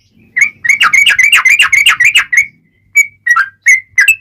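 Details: Sooty-headed bulbul in lively song used as a lure to make other bulbuls answer: a fast run of about fifteen clear bubbling whistled notes, then a pause and four separate liquid notes.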